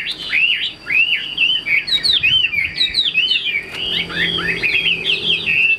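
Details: Chinese hwamei in a cage pouring out a loud, continuous song of looping whistled slurs. Arched notes rise and fall in quick succession, with brief trilled flourishes mixed in.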